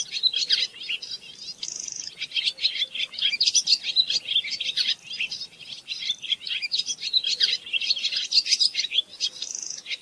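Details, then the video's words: A barn swallow sings a long, fast, twittering stream of chattering notes and scratchy trills, high-pitched and continuous, with occasional brief buzzy phrases and no other sounds standing out. "صوت تغريد طائر السنونو / الخطاف /خطاف الشعر /سنونو المخازن/عصفور الجنة المخازن / Barn swallow"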